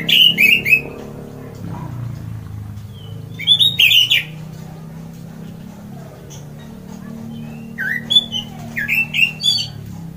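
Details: An orange-headed thrush delivers its loud ngeplong song, which is said to make other birds join in: short clusters of bright whistled notes with slurred upward and downward turns, spaced by pauses of a few seconds.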